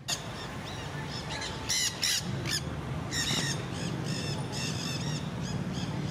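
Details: Wild Nanday parakeets, a feral flock feeding in crape myrtle trees in downtown St. Petersburg, Florida, give harsh screeching squawks in rapid, overlapping bursts, some clustered and some spaced, over a steady low background rumble.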